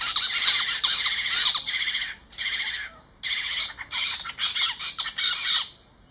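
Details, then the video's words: Spotted owlets screeching in Ahmedabad, Gujarat, captured with a Nikon camera: a long run of loud, harsh, hissing screeches in fast clustered bursts, with two short pauses, continuing for about six seconds. "Screeching Call (Spotted Owlets)"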